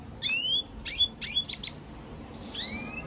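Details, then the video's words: Red siskin giving short bursts of high upslurred whistles and quick twittered notes, then a pause before a long sliding whistle near the end. "Pintassilgo da venezuela cantando muito"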